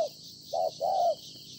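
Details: Wild-caught spotted dove giving a brief low coo: the tail of one note, then a short note and a longer, level hollow note, over a faint hiss.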